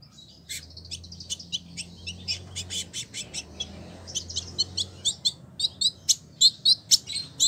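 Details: A captive village indigobird (Vidua chalybeata), kept for about a year in Bandung, West Java, Indonesia, sings a lively, chattering run of short, high, scratchy chirps and twitters, about two a second, over a faint low hum.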